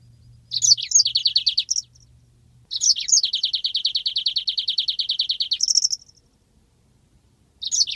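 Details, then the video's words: Yellow-fronted canary in a long rolling song used as a master recording for training birds: bright buzzy trills around high pitch, one burst lasting about three seconds of rapid even repeated notes, separated by short silences, with a faint low hum early on. "masteran handal burung Mozambik ngeroll panjang"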